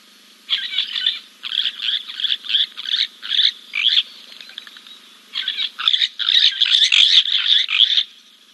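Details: A giant kingfisher at King's Camp on 2 April 2024, preening after a dip, gives loud, harsh cackling notes in quick bursts, a brief lull, then a more rapid rattling run, over a faint low hum.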